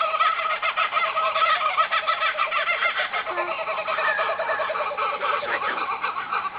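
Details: A dense evening chorus of many birds at Mullum, Australia: harsh chattering and squawking calls overlapping without pause, mid to high in pitch.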